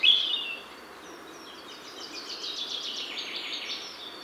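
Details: European robin song, a bird most easily seen singing in early spring before branches leaf out; a bright high opening note followed by soft, rapid, high trills and twitters that run on quietly above light background hiss.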